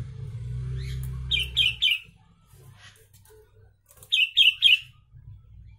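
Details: Sooty-headed bulbul singing with Javan myna phrases, serving as a master recording: two bursts of three rapid, ringing chirped whistles each, separated by a pause, over a low electrical hum.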